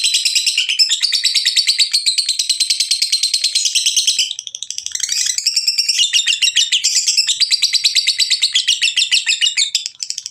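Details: Lovebird giving its ngekek chatter, recorded to coax other lovebirds into song: a rapid, shrill, rattling stream of chirps that pauses briefly near the middle, then resumes at about the same pace and pitch until the end.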